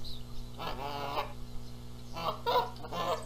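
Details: Canada geese in a nest dispute over egg-sitting, Charlo, Montana, April 14, 2022; a drawn, rasping harmonic call followed by clustered, grating honks.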